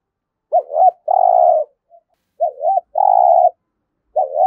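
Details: Urging 'thúc gù' cooing of a spotted dove, used for daily decoy-bird training: two full phrases of a warbling lead-in note and a long rolling coo, with a third phrase beginning, in quiet surroundings.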